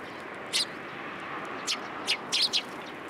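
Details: Several sparrows gathering for food put out on a post at a Tenmangu shrine on 1 February 2023; sharp, high chirps come singly and in a rapid burst of three near the end, over constant low outdoor rumble.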